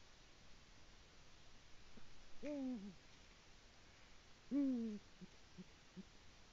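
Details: Male Eurasian eagle-owl arriving at the nest on 22 February 2018, calling his mate, from a nest live stream: two deep, downslurred hoots about two seconds apart over a low background hiss.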